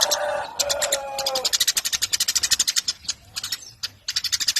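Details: ['Eurasian tree sparrow, a master recording for teaching contest songbirds: fast strings of sharp high chirps, with a lower drawn-out tonal note underneath during the first one and a half seconds.']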